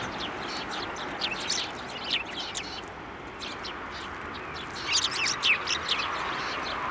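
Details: At a Tenmangu shrine on 15 January 2024, sparrows fly onto an outstretched hand to take food; loud, scratchy chirps come in bunches, with a pause near the middle and then a busier burst.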